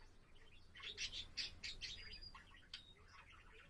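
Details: Budgerigar kept as a pet, singing on 7 April: a dense, fast burst of scratchy chatter and bright chirps, then a thin whistled note and scattered clicks, with a faint low indoor hum behind.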